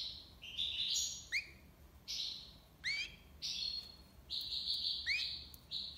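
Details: European goldfinch, Algiers, Algeria, delivering tiwawati song: rapid buzzy twittering phrases punctuated by clear rising whistled slurs, several bursts within a few seconds.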